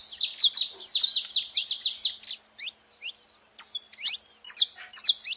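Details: Saffron finch calling loudly at a feeding station: fast runs of sharp, high chirps for over two seconds, then shorter broken bursts of rising and falling chirps with brief gaps.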